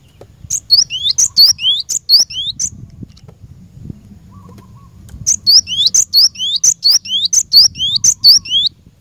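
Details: Cinereous tit used for training caged birds, giving two loud bursts of quick, high, rising whistled notes separated by a short quiet gap with faint low noise.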